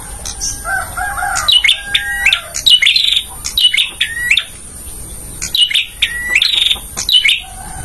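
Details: Bar-winged prinia male song for training caged birds: bursts of upward-sliding whistles and buzzy chatter repeated in two clusters, with a lower, softer warble from another bird at the start and end.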